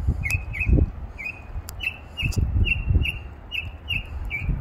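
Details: A songbird on a tree gives a long, steady run of short, slightly downslurred chirps, about two each second, with varied sounds, over low thumping and rumbling room noise; a person urges it to sing some more.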